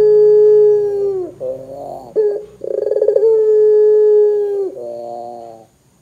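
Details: Barbary dove calling 'gacor', intended to set other doves calling: a sustained low coo, a short wavering phrase, a rapid rolling stutter, then another long coo ending in a lower trailing note.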